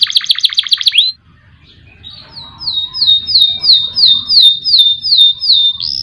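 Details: Canary singing as a lure to make competition birds sing: a fast rolling trill ends abruptly, a short pause follows, then a series of level whistled phrases repeated about twice a second, with faint low background hum.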